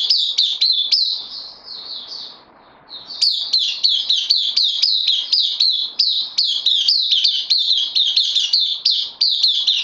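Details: White-eye kept in a cage, newcomer on loan, recorded 12 September 2020, delivering a long, continuous stream of quick, sharp, high-pitched chirps after a brief softer lull early on.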